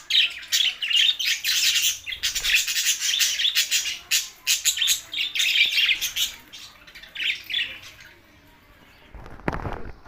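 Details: Lonely budgerigars recorded on June 7, 2024, chattering almost nonstop in rapid, rasping, squeaky warbles with brief gaps, fading near the end where a short broadband rustle or scrape is heard.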